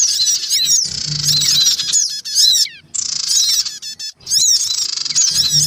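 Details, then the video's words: Lure recording of black-winged cuckooshrikes, adults of both sexes with young, calling noisily: dense high chattering bursts of rapid chirps, about one a second, separated by sharp breaks, with a low electrical hum. "mp3 suara pikat sogon ribut. dan anak sogon"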